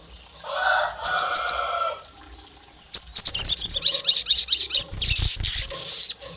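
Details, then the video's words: Olive-backed tailorbird lure said to imitate a female calling the male: a lower warbled phrase with a few high chips, then a long run of quick, high, slightly buzzy chirping notes. "SOGON GACOR MIRIP SUARA BETINA MEMANGGIL JANTAN LAWAN LANGSUNG EMOSI NGAMUK NEMBAK PANJANG"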